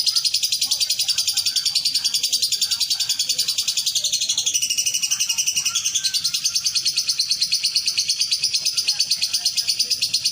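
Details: A competition lovebird gives a long, unbroken, shrill chattering trill, high-pitched and rapidly pulsed, running without pause throughout.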